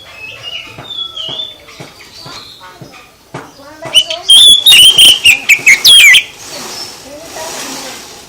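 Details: Oriental magpie-robin (kacer) song played to make other birds respond: faint scattered whistles and clicks, then a loud, distorted run of rapid whistled notes and trills lasting about two seconds, followed by a hiss.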